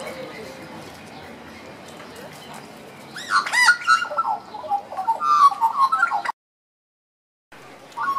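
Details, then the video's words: Two captive Australian magpies duetting at Zoo Berlin, carolling together in rich, fluting, warbled phrases that swoop up and down, after a quiet start and before a brief silent break. "Duetting Australian magpies"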